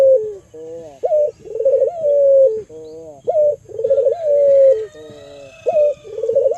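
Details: Albino local Barbary dove serving as a lure to provoke other doves to coo; regular phrases about every two seconds, each a brief rising note, a rolled trill and a long smooth note easing downward.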